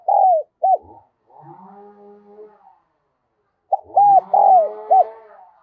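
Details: Decoy spotted dove calling in the Đồng Son voice to lure other doves: a falling coo and a short note, then a low droning, wavering background sound, then a fresh phrase of arched, slurred coos over that hum.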